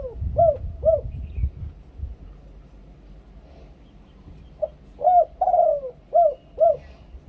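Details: Spotted dove in the two-kuk koo-ang luring style: two hooked coos at the start, a pause, then a short note, a rising hook, a long sliding coo and two crisp closing coos.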